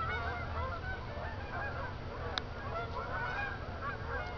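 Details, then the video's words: Flock of geese heading back to Jourdan Lake from a field at Lake Odessa, Michigan, after dark. Dense chorus of overlapping honks, some rising and some falling, with one sharp click midway and a low background rumble. "Geese at night"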